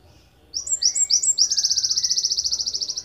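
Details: Ponorogo wingko Java sparrow, recorded as a master for training songbirds: quick upslurred chips build into a long steady trill of rapid high pulses, with a soft whistled note underneath.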